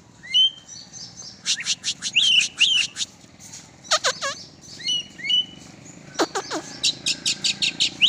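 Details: Kacer, oriental magpie-robin, let out for exercise, sings a busy, varied medley of sharp high notes, rapid clicking bursts and deep-swooping whistles, with short phrases repeated in quick succession.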